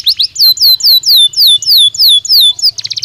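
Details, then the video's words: Belgian canary song used as a training stimulus to warm up and prompt other canaries to sing: a fast series of loud, clear, downward-sweeping whistled notes, about ten in quick succession, ending in a short, rapid, buzzy trill. "Som de estímulo que faz o canário belga responder com voz mais clara"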